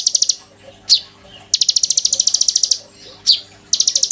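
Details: Caged oriental magpie-robin, song used to tutor white-rumped shamas: dense buzzy high trills, one running over a second, separated by single sharp downward-sweeping notes.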